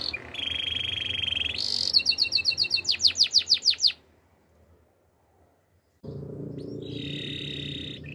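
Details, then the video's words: Spanish Timbrado canary holding a buzzy tone, then a loud series of repeated chirps that abruptly stops; after silence a steady buzzy held tone returns over background hum. "Spanish timbrado canary singing"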